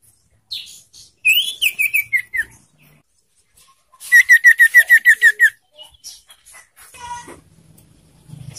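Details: Young sirtu in a cage singing, used to stimulate other sirtu: a descending cascade of sharp notes, then about a dozen rapid, evenly spaced high chirps on one pitch, followed by scratchy twitters.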